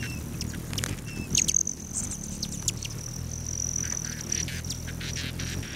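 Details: Hummingbirds at patio feeders at a lodge just south of Great Sand Dunes National Park, Colorado, at 9:14 AM on July 29. A steady, thin, high buzz carries across, dotted with clicky chips and a few short squeaks.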